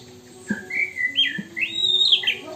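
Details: An Oriental magpie-robin with imitations of Hongkong poksay and wambi sings a rich run of clear, sweeping whistles that rise and fall in quick varied phrases over a faint low hum.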